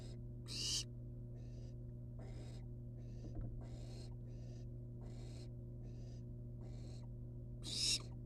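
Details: Barn owl chicks, wild and perched outside the nest box, trade a string of harsh hissing calls, loudest at the start and end, with many softer overlapping hisses between. A faint thump is heard, and a low hum continues throughout.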